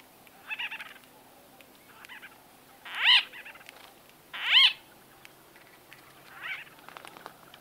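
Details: White-fronted bee-eater conversation heard close: soft rolling calls alternate with two loud, sharply arched nasal calls about one and a half seconds apart, and faint calls trail off afterwards.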